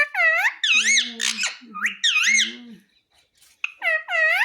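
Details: Pet parrot talking, said to say "mummy" and "papa": loud, arched, strongly harmonic vocal phrases with lower voice-like tones beneath, several bursts in quick succession, a short pause, then one more phrase.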